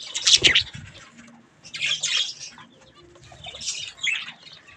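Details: Budgies feeding on strawberries give harsh, scratchy high chirps in three short bursts, with quiet pauses and faint rustling between them.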